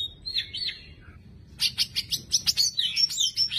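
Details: A caged champion greater green leafbird in Indonesia whistles a slurred phrase, then breaks into a fast, sharp, high chatter of rapid notes.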